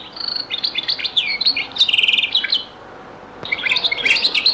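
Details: European goldfinch singing in the Algerian Beni Messous 'les avocats' (zaboka) song style, from a very old recording: rapid, high twittering and buzzy trills in bursts, a short pause, then another tumbling phrase of bright chirps.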